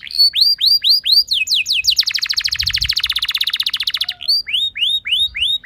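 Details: Canary singing as a lure to prompt other canaries to sing, alternating repeated arched whistled notes with a dense rolling trill lasting about two seconds, then more separate curved notes.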